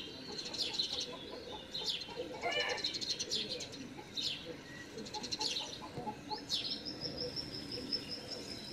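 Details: Begging great spotted woodpecker young waiting with open bill as a parent brings food, garden setting, 13 June 2019; high chirps in short series, ending in a drawn-out thin whistle-like note, soft background noise.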